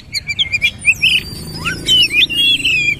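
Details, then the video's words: Oriental magpie-robin performing a forceful 'nembak' song in bowing 'sujud' style. Quick repeated whistled notes lead into slurred, rolling phrases and a long bright warble. "KACER SUPER POWER NEMBAK GAYA SUJUD SUJUD"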